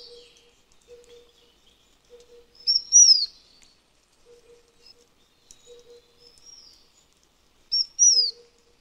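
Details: Taiwan Fulvetta, an endemic bird of Taiwan's high mountains that moves to mid-altitude mountains in winter, giving thin high whistled notes that slur downward, in two louder bursts a few seconds apart, over a faint low hum.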